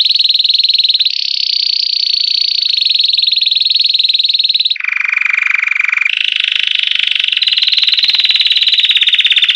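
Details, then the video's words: A Belgian canary sings unbroken, high rolling trills, switching tour every second or so, with one lower, fuller stretch midway; no other sounds intrude. "CANÁRIO BELGA CAMPAINHA PURO - CANARY SINGING"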